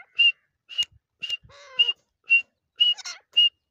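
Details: Female grey francolin gives short, clear, high whistled notes on one steady pitch, repeated about twice a second; a lower, rounder note and a brief rattle break in midway.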